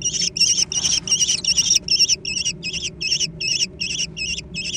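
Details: Squabbling over food, young American kestrels produce a long, loud run of harsh, trilling squeals, roughly three per second, each note wavering in pitch, steady and insistent throughout.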